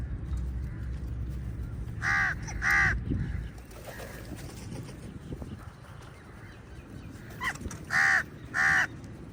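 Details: Crows among a large group fighting eagles for food. Harsh, hoarse caws come in two pairs, one near the start and one near the end, with a quieter rumbling background between them.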